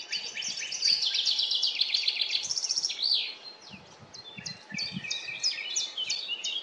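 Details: Common chaffinch song recorded in a forest: rapid high chirps and trills that crowd together, then a sweeping phrase near the middle, followed by further clipped notes, with soft low rustling beneath.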